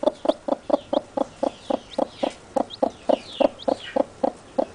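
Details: Newly hatched chicks peeping near their mother: a steady train of short, low clucks about four per second, with soft high downward peeps scattered above.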